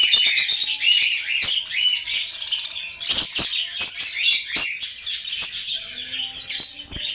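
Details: Caged budgerigars, known locally as bajri, in Lahore; continuous busy twittering and warbled chirps from many birds at once, loud and unbroken throughout.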